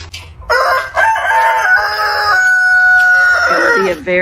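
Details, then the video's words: Rooster crowing: one long, loud, strained crow held steady for about three seconds, dropping in pitch at the close, with a short sharp note after it. "roosters crowing sound | crowing roosters | crowing sound effect | morning sounds"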